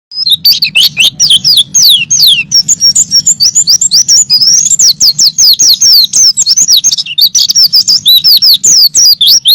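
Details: White-eye kept as a training songbird, recorded singing persistently: rapid, dense twittering of sharp, sweeping high notes tumbling up and down without pause, over a steady low hum.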